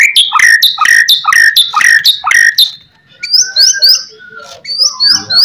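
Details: White-rumped shama singing a master song to trigger answers from other shamas: six loud repeated downslurred whistled phrases about every half second, a brief pause, then higher thin rising notes and twittering.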